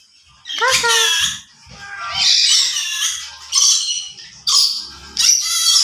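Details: Conure of the yellow-sided form babbles talk-like syllables, bright and raspy with sweeping harmonics, in near-continuous bursts over low human voice sounds.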